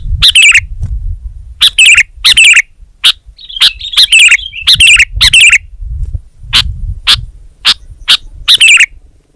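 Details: Sooty-headed bulbul singing vigorously: short, sharp, bright chirps in scattered bursts with a pause in the middle, plus one thin trill, over a low rumbling background.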